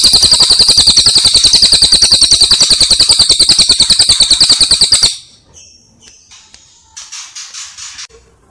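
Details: Brown cililin songbird recorded as a training master, giving a fast, tightly packed high trill of buzzy pulses for about five seconds, then falling quiet with faint chirps afterward.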